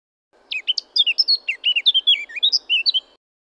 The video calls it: The Harmony of Bird Sounds - Eurasian blackcap (Sylvia atricapilla)